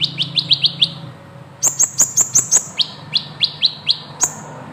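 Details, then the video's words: Kolibri ninja, Van Hasselt's sunbird, singing long rolling gacor song: a run of five quick descending chirps, a pause, then a rapid series of very high piercing notes and more spaced chirps, with faint low hum behind. "Burung KOLIBRI NINJA Gacor Ngeroll panjang"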